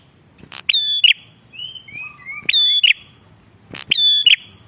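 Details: Bar-winged prinia calling energetically, a recording used to lure wild prinias: three loud phrases, each a sharp click followed by a bright, ringing whistled note with a buzzy end, about 1.5 seconds apart, with softer thin whistles between.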